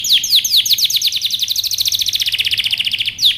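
A canary sings a bright, high trill: a few sharp downward sweeps open into a fast, even run of about twelve notes a second.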